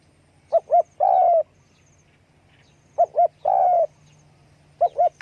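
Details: Spotted dove with its wing-flapping call: phrases of two quick soft coos followed by a longer, slightly falling croon. The phrase repeats about every two and a half seconds, with a third phrase starting at the end.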